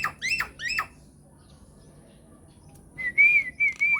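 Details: Lure call of a myna to make others answer: two harsh, rising squawks close together, a pause, then a clear sustained whistle that wavers and drops.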